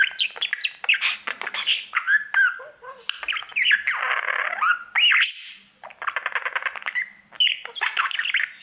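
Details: Male pet budgie singing at his mirror: rapid scratchy chatter mixed with short squawks, a buzzy rasp and looping whistles, delivered in bursts separated by short gaps.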